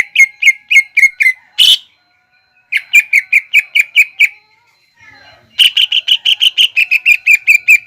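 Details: Greater green leafbird delivering the 'nembak ngekek' song used as a lure for young birds: three runs of crisp, rapidly repeated chips separated by short silences. The last run is the fastest.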